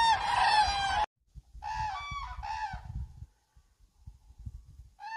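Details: Common cranes dancing at Hornborgasjön, Sweden: a loud trumpeting call, a short pause, then two more ringing calls in quick succession and the start of another, over low thumping background noise.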